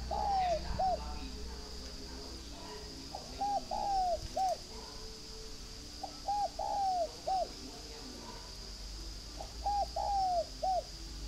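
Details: Spotted dove at a bird farm near Hanoi in northern Vietnam cooing steadily, four phrases in eleven seconds, each of two brief notes, a long down-curving coo and a short ending hoot, over a faint high hum.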